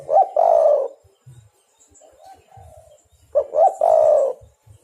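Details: Spotted dove used as a trapping lure; two loud coo phrases, each a quick double note followed by a long drawn coo, separated by softer distant cooing and low knocks.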